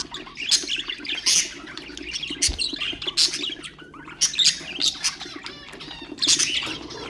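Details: Pet budgerigar warbling to stimulate other birds: a busy stream of scratchy chirps, squeaks and buzzy notes, bunched into loud bursts separated by brief quieter gaps.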